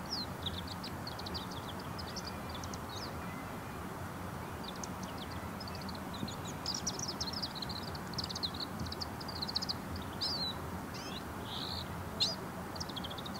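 A Bull-headed Shrike gives a long, rambling courtship song of quick, high chattering and squeaky notes over a steady low rumble of traffic.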